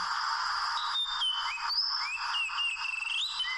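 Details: Wild Oriental magpie-robin at a trap made of small ropes sings a string of thin whistles, some held, some gliding up or down, over a steady high background hiss.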